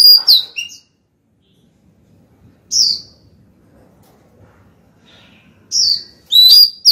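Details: Female white-rumped shama singing to call the male: a few loud, clear whistled phrases sliding around high pitch, separated by long quiet gaps.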